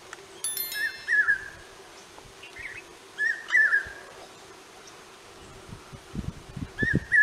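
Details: Common hawk-cuckoo heard at a distance, with its whistled multi-note phrases repeated every few seconds over steady background hiss and a low hum.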